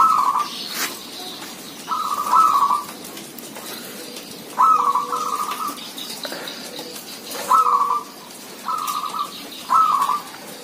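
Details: Several zebra doves calling busily in a village setting: six short bursts of quick, rolling, trilled cooing, each under a second, spaced about one to three seconds apart, over soft lower coos from other birds.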